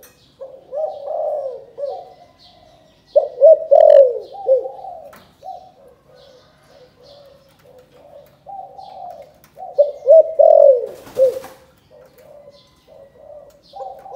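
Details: Spotted dove from Can Tho, Vietnam, calling in the 'chụp chụp ô' style. Repeated phrases of soft, mellow coos rise and fall, with louder bursts now and then and a brief rustle near the end.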